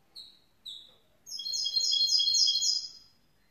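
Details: Young goldfinch mule, grey-blue hybrid, gives two short high chirps, then bursts into a quick, sparkling warble of rapid trilled notes lasting about two seconds.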